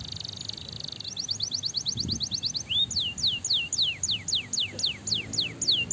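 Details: Canary song for stimulating other canaries, opening with a buzzy trill, then a quick run of short notes and a steady series of falling whistled slurs.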